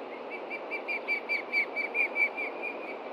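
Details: Adult osprey at a Montana nest, 30 June 2013 late morning, alarmed by a threat from below: a series of short, slightly hoarse whistled chirps repeated quickly over steady background hiss.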